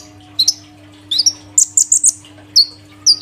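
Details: Caged sunbird (kolibri ninja), three days in a new cage, singing: high sliding chirps and a quick run of sharp tweets near the middle, over a steady low hum.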